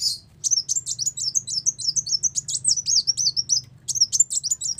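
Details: Ruby-cheeked sunbird song used as a lure for trapping: a continuous, fast, very high warble of sharp chips and slurred whistles, briefly broken near the end before resuming, over a faint low background hum.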